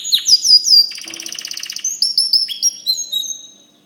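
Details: A white canary sings a rapid mix of bright, sliding high notes. In the middle comes a brief pulsing rattle, and the song closes with clear whistled notes at different pitches that fade away at the end.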